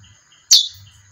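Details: Female chestnut-bellied seed finch giving one sharp, loud chip that drops quickly in pitch, over a steady high electrical-sounding whine and a soft pulsing buzz.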